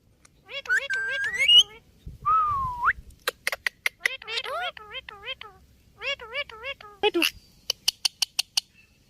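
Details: Talking ringneck parrot producing wavy, speech-like harmonic phrases that rise and dip, a falling tonal glide, and bursts of sharp clicks near the end.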